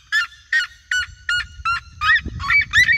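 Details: Red-legged seriemas in a flock, singing in open countryside around the recordist: eight loud, ringing yelps spaced about every third of a second, the last notes rising and sharper, over a soft low rumble.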